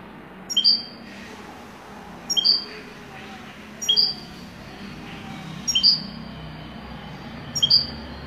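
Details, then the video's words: European goldfinch singing, in the style called wedani: short, bright, high chirped notes given singly about every one and a half to two seconds, with a low steady background hum. "تغريد حسون ويداني"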